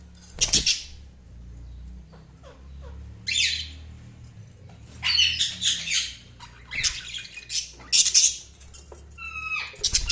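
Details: Budgies chattering with repeated bursts of high, scratchy chirps and squawks every second or two, some warbled and some clipped, ending with a quick stuttering series of rising notes; light clicks and taps in between.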